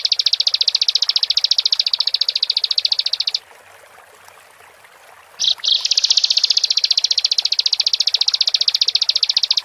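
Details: Rapid high-pitched trill from a bar-winged prinia, a gacor song meant to provoke other birds into singing, runs steadily, breaks off briefly, then restarts with a couple of sharp notes before the pulsing continues.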